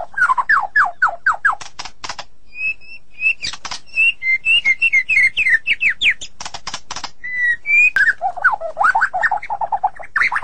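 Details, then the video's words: White-rumped shama, described as sulking, giving a long varied song: repeated downslurred whistles, short clear notes in series, harsh buzzy bursts, then quick low warbles. "Terapi super murai yang sedang ngambek"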